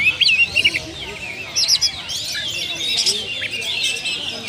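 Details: Lure recording of oriental magpie-robin song: rapid mixed phrases of looping whistles and high squeaky notes, with several loud bursts near the start and continuous chatter after.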